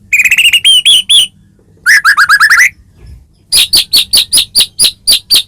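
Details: Loud white-rumped shama, described as a Medan bird, in full varied song meant to provoke rivals: rapid whistled trills, a descending chirp series, then evenly spaced sharp high notes.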